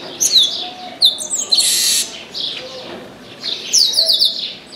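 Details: Chestnut-capped blackbird singing from an orange tree: bright descending whistled notes, then a loud rasping buzz lasting about half a second, a quieter stretch, and another run of sharp high chirps at the end.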